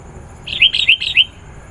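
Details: Sooty-headed bulbul singing persistently, used to lure wild bulbuls: a quick run of five bright, slurred notes over about three quarters of a second, rising and falling, against faint background hiss.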